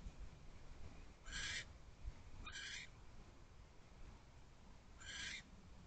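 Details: Barn owl on the perch of a nest box late at night in mid-January 2024. Three short, raspy, hissing screeches come at irregular gaps against a faint low rumble.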